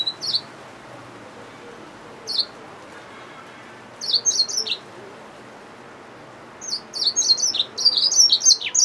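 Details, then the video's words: Hybrid finch, a yellow-fronted canary mule, giving short bursts of high, quick chirped and slurred notes separated by pauses, ending in a longer rapid phrase with a descending note. "Yellowfronted canary mule | Hybrid Finch | Nature Bird sounds"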